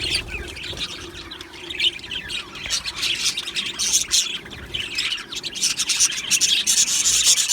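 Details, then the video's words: Australian budgies chattering in an aviary colony, a steady wash of high, scratchy warbles and squawks from several birds, growing louder toward the close. "Australian Budgie birds Chirping Sounds"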